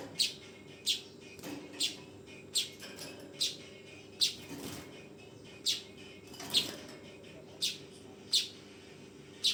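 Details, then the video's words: Young weaver, a fledgling, giving short harsh chirps repeated about a dozen times in under ten seconds at uneven intervals, each a brief noisy burst, over a steady low hum. "SUARA BURUNG MANYAR TROTOLAN"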